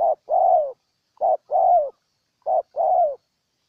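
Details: Loud Spotted dove from Ninh Thuận, Vietnam, calling three times: each phrase a clipped note then a longer, descending, slightly hoarse coo, spaced roughly 1.2 seconds apart in silence.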